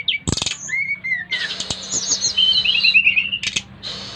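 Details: Brown-chested jungle flycatcher from Bali, five months old, recorded 30 July 2024, singing to lure other flycatchers into song. Looping whistles lead into a long sweet warbled phrase that ends in a fast trill, with a few sharp clicks.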